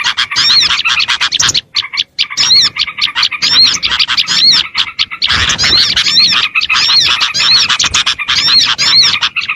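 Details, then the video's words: Small birds calling in a lure recording meant to attract small birds: a thick, restless chorus of shrill chirps and squeaky slurs, with a few short pauses early on. "AUDIO SUARA PIKAT BURUNG KECIL"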